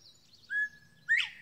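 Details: Northern bobwhite male singing from a slash pile of dead trees and treetops: a clear level whistle followed by a loud sharply rising, slurred whistle, the classic two-part call, with quiet background.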